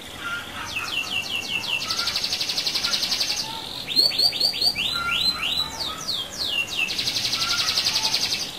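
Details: Rolling canary song used to stir other canaries: fast rattling trills and sustained buzzy rolls alternate with bursts of rising whistled notes, a sharp chattering passage mid-song, and a long rolling trill at the end.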